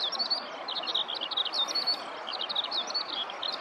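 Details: Eurasian skylark singing on the ground in a nearby rice field, filmed close up with a handheld camera; a dense, unbroken stream of high chirps, trills and short whistled slurs pours out without pause over a soft background hiss.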